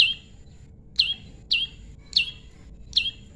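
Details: Prinia, locally called prenjak lumut, in pairing song: short sharp chirps with a downward flick, repeated roughly every half to one second, each a bright high note over a quiet low hum.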